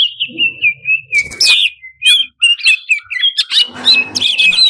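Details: Greater green leafbird singing a varied fill song meant to rouse competition birds. Continuous high whistled notes and quick slurs alternate with harsh bursts, with a faint low hum in places.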